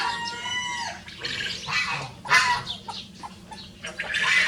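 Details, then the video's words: Crowing from a pair of free-ranging Rosecomb bantam show roosters: a falling harmonic crow opens, followed by scattered rough, noisy bursts and a final harsh crow rising at the close. "The Smallest Breed of Rooster Crowing Duet"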